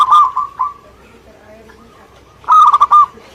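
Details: Zebra dove from Indonesia singing: a rolling coo phrase at the start, quiet fading notes in between, then a second loud pulsed phrase.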